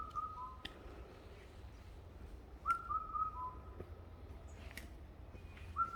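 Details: Bird singing in a mountain forest: short series of clear, slurred whistles, each dropping slightly in pitch, heard in scattered bursts over a steady low rumble with a few faint clicks.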